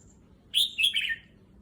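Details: Red-whiskered bulbul kept in a cage, getting used to a new cage in a new location, sings a brisk burst of four or five warbled, whistled notes that tumble slightly downward in under a second.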